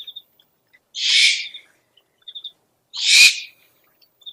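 An owl gives two harsh, hissing screeches about two seconds apart, each lasting about half a second. Faint high chirps are heard between them.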